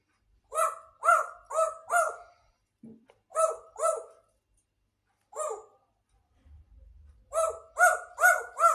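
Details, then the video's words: Indoor grey parrot producing quick runs of gruff, bark-like notes, about four in a row, then pairs and singles after brief silences, with a faint low rumble midway. "grey parrot talking"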